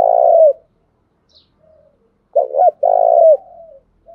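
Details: Spotted dove used as a decoy, cooing to draw wild doves into calling back. A long, throaty coo, then two short bouncing notes and another drawn-out falling coo, with fainter distant cooing between phrases.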